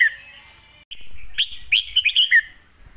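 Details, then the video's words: Master-pattern song from a red-whiskered bulbul, loud and clear: a sliding whistle, a brief silence, then a rapid string of bubbling, warbled notes that rise and fall before ending on a downward slur. "เสียงดัง ฟังชัด"ซัดเต็มข้อ นกเสียงทองเพลงแม่บท"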